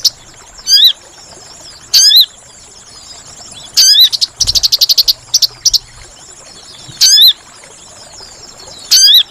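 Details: Sooty-headed bulbul calls played as a trapping lure. Bright swooping notes come every second or two, with a run of about ten fast, high chattering pulses in the middle.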